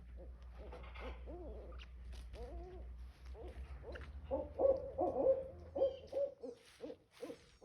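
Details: Barred owl, also called hoot owl, calling in a backyard; faint low notes over a steady low hum early on, then louder, mid-pitched hooting notes from about four seconds onward, uneven in rhythm.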